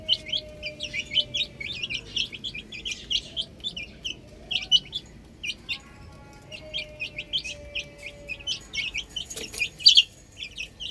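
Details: Baby chickens playing on a roof, giving rapid high chirps in irregular bursts, several peeps overlapping, a short pause mid-clip, with a faint low hum beneath.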